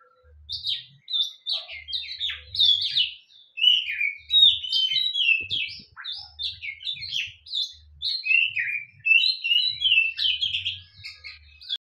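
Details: Kacer, the white-rumped shama, kept in a cage and put out in the sun for health and strong singing; a long run of quick varied chips, whistles and chattering trills, phrases tumbling one after another, with faint low knocking.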